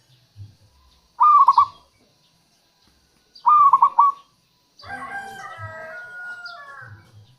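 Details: Two stuttering coo phrases of a local zebra dove, used to lure wild doves, followed by a long harmonic rooster crow in the background.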